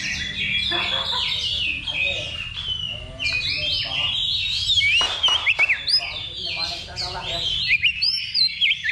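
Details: Oriental magpie-robin singing during a level-2 practice contest ahead of a real match; dense varied warbling mixed with loud looping whistles and quick upward-flicked notes, other birds overlapping throughout.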